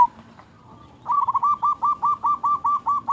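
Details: Local-strain zebra dove (perkutut lokal) singing busily with a big 'kung' voice, used as a lure to get other doves singing. After a second of quiet, a fast run of about thirteen short, even, pulsed coos sounds at mid pitch.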